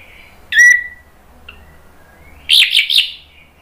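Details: An orange-headed thrush (anis merah), recorded as a lure to provoke other thrushes to answer, gives a sharp, sliding whistled note, then after a pause a rich burst of three quick, harsh, warbled phrases.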